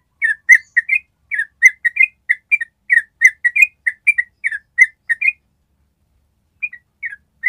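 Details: Yellow-vented bulbul in long ropel trill, used to train other birds: brisk series of bright whistled chirps for about five seconds, then a short silence and a few scattered notes at the end.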